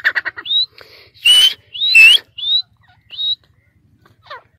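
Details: A caged, hand-raised Sindhi dakni francolin (teetar) gives a run of short, clear, upward-sliding whistled notes, about five in under four seconds, with a few harsher bursts between them.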